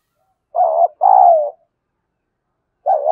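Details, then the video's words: Fight-provoking cooing of a spotted dove in the 'giọng thổ' style: one low phrase made of a short wavering hoot and a longer sliding coo, then the next phrase starting just before the end. "tiếng chim cu gáy thúc đấu vấy bổi nghe nhanh gáy và gấy ức chế cao"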